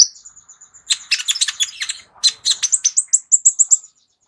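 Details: Kept sunbird, known locally as kolibri ninja, singing a song rich in varied fill phrases and offered as a vocal tutor for other songbirds: a thin high whistle, then dense bursts of sharp chattering notes ending in a run of rapid bright chips.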